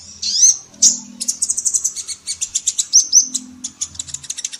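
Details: Female ninja sunbird singing lively training song for songbirds in Indonesia: high, thin chirps and rapid twittering trills, with a few brief, sharp whistled notes mixed in.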